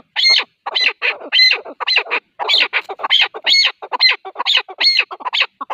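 A male chukar partridge gives harsh, clucking chuck notes about twice a second in an uneven, continuous run. No other sounds are heard.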